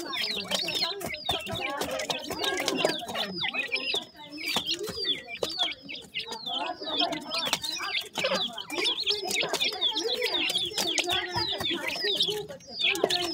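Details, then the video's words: Many yellow partridge chicks at a feeding, keeping up an unbroken chorus of thin, high, falling peeps layered over lower chirps, with a brief quieter dip midway. "yellow partridge bird chicks,partridge baby feeding"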